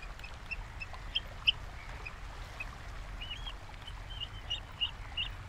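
Oystercatchers give short, sharp, high piping notes, scattered irregularly and fairly faint, over a steady low rumble of wind or surf.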